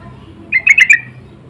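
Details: Four quick, harsh chattering notes from a sooty-headed bulbul, part of insistent lure calls answering each other, with only low hum around them.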